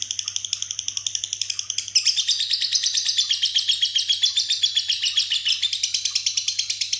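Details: Kept lovebird in ngekek, raising one leg as it sings and mixing in phrases learned from other birds: steady, fast, high chattering pulses that jump louder and shriller after two seconds and continue as a ringing, sustained trill.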